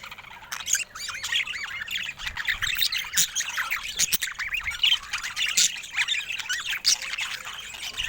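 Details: Several pet budgerigars in Louisville keep up a lively, continuous chatter of quick high warbles and squeaks. The notes overlap constantly, with occasional sharp clicks.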